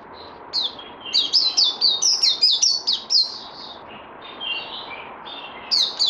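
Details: Songbird in training, recorded 18 May 2020 after Covid-19: a quick run of high, clear whistled notes, each sliding downward, delivered in a rapid burst with pauses, then softer lower warbles and a final pair of sharp notes.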